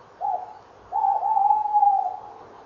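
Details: Tawny owls calling at a nest box at 19:22 on a late-November 2013 evening, a female arriving as the male flies inside: a short mellow hoot, a pause, then a long drawn-out wavering hoot over a quiet background.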